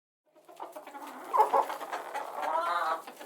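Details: Chickens clucking softly as relaxing background sound, low murmuring clucks building after a short silence into a denser, busier chorus of overlapping calls.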